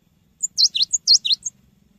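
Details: Cinereous tit singing, a lure recording for training birds: a short burst of six piercing high chirps that swoop down and back up, over a faint low hum.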